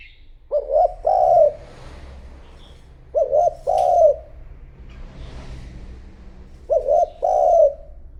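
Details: Spotted dove decoy calling to draw in wild doves. It gives three repeated low cooing phrases about three seconds apart. Each phrase has two quick short notes and then a longer, fuller coo, over quiet background hiss.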